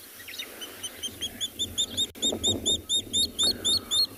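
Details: Water thick-knee calling near a waterhole on a South African private game reserve during a morning safari drive on 3 September 2021: a run of piping whistled notes, about four per second, swelling louder through the clip over a low rumble.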